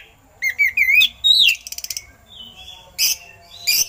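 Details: Oriental magpie-robin (kacer) song with eagle-call imitations, used to tutor other songbirds: sliding whistled notes rising and falling, a rapid run of short clipped chips, then loud scratchy bursts and a high whistle, with brief pauses.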